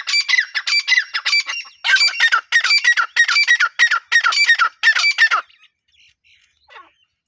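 A grey francolin gives loud, harsh, rasping phrases in a fast series, about ten over five seconds, before falling quiet with a few faint notes.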